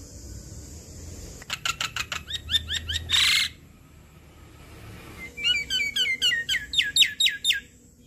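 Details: An adult Javan myna, recorded as a lure to make other Javan mynas call back, gives two bursts of rapid, repeated whistled and chattering notes, each about two seconds long, with a harsh rasp between them.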